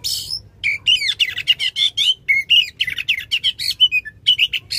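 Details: Oriental magpie-robin singing loudly in long bursts, played to rouse a non-singing magpie-robin: a harsh opening burst, then fast continuous chatter of clear whistles and rasping notes, varied in pitch throughout.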